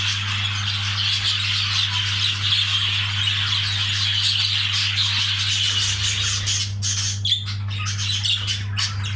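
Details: Mating budgerigars giving busy, overlapping warbles and chirps that grow choppier and more broken toward the end, over a constant low hum.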